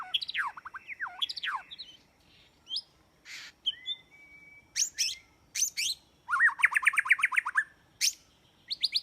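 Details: White-rumped shama song used as a trapping lure: a varied, fast series of rising and falling whistled notes, sharp chips and buzzy bursts, ending in a rapid run of repeated rising trill notes, with short pauses between phrases.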